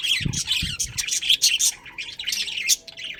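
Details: Chirping budgerigars, a breeding pair in a colony: rapid, rasping, high-pitched warbled chatter in close bursts, with a few low knocks early on.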